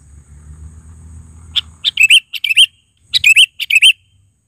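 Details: Sooty-headed bulbul giving two phrases of rapid, chattering, bubbly notes, each phrase a cluster of four or five chirps, after a low humming background at the start.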